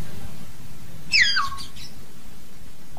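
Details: A common hill myna calling its flock gives one loud, harsh, downslurred whistle lasting under half a second, over a steady low background hum.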